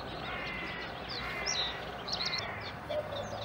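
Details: Eurasian coot chicks near the nest at the Schützenweiher, Winterthur, with parents nearby. Clustered high, thin squeals come in quick groups with a short lower note near the end, over a steady ambient hum.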